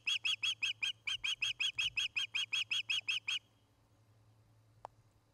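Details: Osprey at a nest in Charlo, Montana, recorded by a nest camera on an August evening: a rapid series of about sixteen sharp, piercing whistled chirps, evenly spaced, lasting three seconds, then quiet with a low steady hum.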